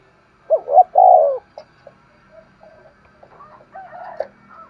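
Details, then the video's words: Spotted dove decoy bird calling: one loud phrase of double note and long falling coo, followed by quieter scattered coos and a softer broken phrase near the end. "Tiếng chim cu mồi thúc gù// giọng bén bổi"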